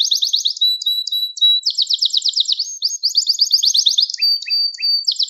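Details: Gloster canary song meant to rouse canaries and train young singers: buzzy rolling trills, short whistled tones, rapid repeated notes, and a few lower chips near the end.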